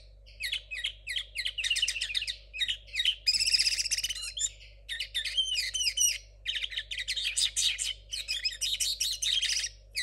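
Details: Caged young linnet hybrid from 2022, still learning an unrefined song, pours out ten seconds of almost continuous fast high twittering, slurred whistles and buzzy trills in tight bursts, with only a faint low hum behind.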